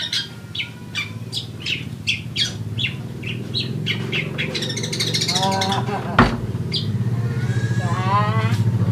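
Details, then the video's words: Chattering Eurasian tree sparrows give quick, sharp chirps in a steady stream over the first half, then a droning engine rises underneath and partly masks the later notes. "GACOR SUARA BURUNG GEREJA"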